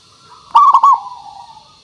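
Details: Zebra dove (local perkutut) lure song meant to prompt other doves to sing: a single loud, rapid stuttered coo phrase, framed by fainter sustained cooing before and after.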